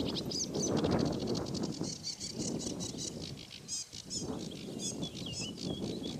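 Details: A Sedge warbler (Acrocephalus schoenobaenus) sings a fast, scratchy run of varied chattering notes and high trills, with a steady low rumble of wind underneath.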